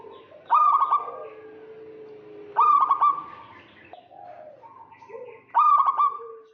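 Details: Local zebra dove calling to lure a rival, males and females answering: three loud clipped trilled coo bursts spaced about two and a half seconds apart, over low sustained coos and faint background murmur.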